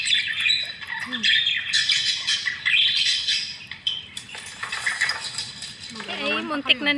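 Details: Budgies jostling over scarce food, with bursts of shrill chirps and squawks rising and falling. A short whistled note comes early, and warbled notes follow near the end.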